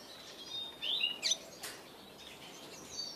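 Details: A double-dilute mutation Eurasian siskin gives a quick, high twittering phrase of thin chirps and a short wheezy slurred note, over a steady hiss of background noise.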